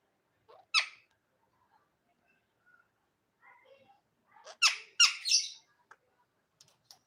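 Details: Pet parrot indoors in a small room, harsh squawks and squeaky chattering bursts in short clusters, loudest around the middle and end, with quiet pauses between.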